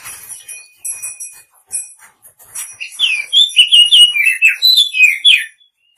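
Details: Faint high thin tones open, then a female Oriental magpie-robin calling the male bursts into a fast string of warbled, slurred chirping whistles that rise and fall before stopping.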